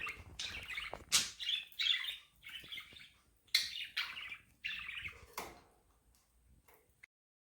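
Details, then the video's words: Budgerigars give rapid, uneven chirps and warbling twitters at about three notes per second. Sharp clicks are mixed in before the chatter fades out toward the end. "Budgies fun natural chirping | Parakeet sounds | bird chirping sound"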